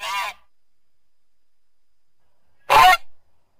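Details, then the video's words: A goose gives two loud, harsh, nasal honks, one at the start and one near the end, separated by over two seconds of silence. "Goose Sounds"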